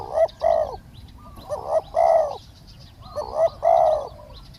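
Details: Spotted dove in Thailand during a live-decoy session luring a wild bird. Three near-identical phrases arrive about every 1.5 seconds, each a quick note followed by a longer, rich hollow coo.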